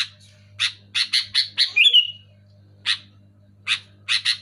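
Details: Sooty-headed bulbul, or kutilang, giving rasping chirps in a quick burst, then a short twittering slide, followed by sparse single and paired notes after a pause; a low hum runs beneath.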